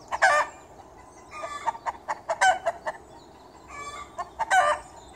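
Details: Chickens in a garden giving loud, harsh clucks and squawks in irregular bursts, roughly one every two seconds, over a steady low background hum.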